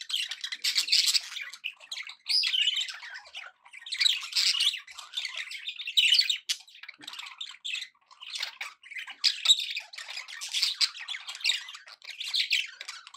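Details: Budgerigars kept as pets chatter cheerfully in bursts of gritty warbling and squawks interspersed with thin chirps, with short quiet gaps every couple of seconds.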